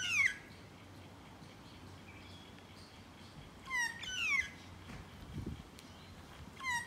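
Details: Magpie heard up close: a short, harsh, downslurred cry opens, then a pair of drawn-out nasal wails near the four-second mark and another brief call at the end, over a low steady hum.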